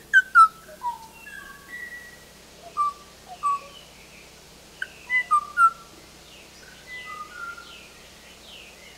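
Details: The last surviving Kauai O-o, a male in the Alakai Swamp atop Kauai in the late 1970s, sings clear, fluty, mostly downslurred whistles in short bursts over a faint hiss, answering playback of his own song and calling for an absent female.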